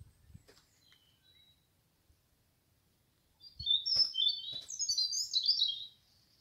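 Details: Male common nightingale singing in a garden in Cherry Lane, Great Mongeham, on a May 2022 evening while seeking a mate; after quiet and faint clicks, a loud burst of rich, rapid, high warbled phrases rings out for about two seconds.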